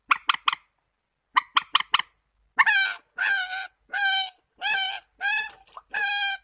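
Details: Warbler calls open with two clusters of quick scratchy notes, then shift to a series of longer, nasal, ringing notes repeated about every half second.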